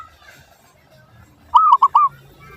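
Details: One zebra dove song phrase used as a lure to make other doves reply: a burst of three rolling coo notes, the first longest, following a second and a half of faint background noise.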